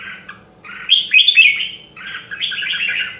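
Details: A red-whiskered bulbul from Nam Đông, Huế, a rare voice line, sings a brief phrase for voice training: soft warbles building to a loud, bright twittering peak, then a fuller rolling phrase, over faint low hum.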